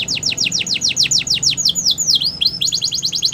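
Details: Canary singing a quick rhythmic series of downward-slurred whistles, several V-shaped sweeps, then more fast repeated falling notes.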